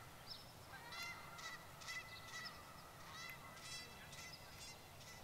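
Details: Canada goose flock of about thirty birds on grass at a lakeside school, necks swaying vigorously with each call; rapid trumpeting honks, roughly two per second, several birds overlapping, set against steady hissing noise.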